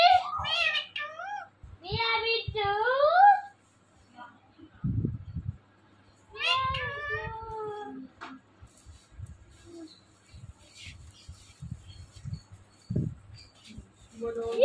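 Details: A pet Indian ringneck parakeet mimics speech, saying "mitthu" in clipped, bright bursts with rising and falling inflections. The phrases come at the start and again midway, separated by quiet gaps with low thumps and faint room noise.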